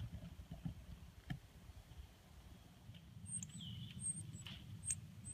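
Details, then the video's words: Nestling northern cardinals being fed in the nest. Scattered sharp, very high chips and a short descending squeak come in the latter half, over low rumbling handling noise and soft taps. "Baby Cardinals Being Fed and Raised"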